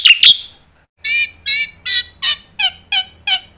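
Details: Black-winged myna master song for training young mynas: two sharp whistled notes, a short pause, then eight harsh, buzzy, evenly spaced notes about every 0.35 seconds.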